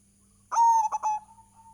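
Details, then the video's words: Lively zebra dove (perkutut) from Indonesia, local type, cooing as a lure song. A single phrase: a long steady coo, then two rapid short notes, trailing into a faint lingering tone. "PANCINGAN PERKUTUT GACOR"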